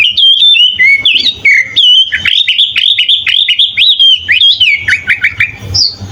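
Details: Master recording of a sooty-headed bulbul giving full 'isian' song for training other birds: a rush of bright whistles, then a run of quick down-slurred notes repeated several times, ending in a higher whistle.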